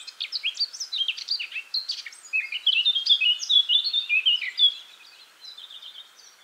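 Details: Eurasian blackcap singing: a fast, varied warble of bright, scratchy and whistled notes jumping up and down in pitch, running for about five seconds before stopping, with faint background hiss.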